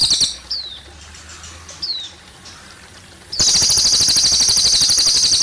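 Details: Cililin near running water: short falling whistles over a quiet background, then a loud, high, rapid trill of repeated notes starts and carries to the end.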